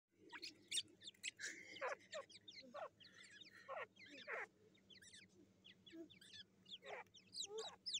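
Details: Black francolin chicks fighting, recorded 18 July 2024: a dense scramble of high, sharp chirps and rising and falling squeaky notes, with some harsher clucking bursts, against a steady low hum.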